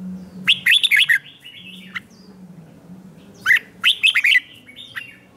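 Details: Red-whiskered bulbul morning song for training birds to sing in contests: two separate bursts of lively, tumbling chirped notes about three seconds apart, over a steady low hum.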